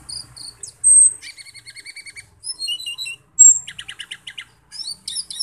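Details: Loud-voiced Asian glossy starling, known locally as cucak keling, singing gacor to spur other birds. High whistles, a piercing long note, pulsed ticking series, varied chirps and a buzzy chatter follow one another in quick succession.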